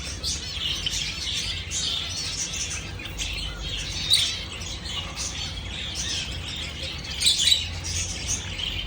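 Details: Continuous high twittering from Java sparrows, busy overlapping chirps with a few louder sharp peep notes standing out near four and seven seconds, over faint low-pitched hum.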